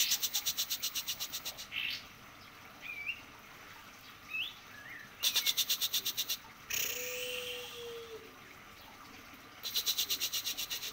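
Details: High white-eye chatter in fast, regular trains of repeated notes, with a few brief whistled slurs in the pauses. A level low whistle sounds once partway through.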